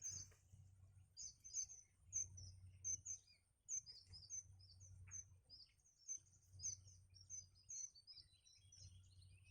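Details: Nestling birds calling for food as the mother brings nourishment, a steady series of sharp, very high, tinny chirps repeated several times a second in bursts, over a faint low background rumble.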